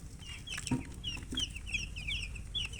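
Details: Colour chickens peeping in high, slurred, repeated chirps that overlap, with a brief lower sound early on and a constant low rumble underneath.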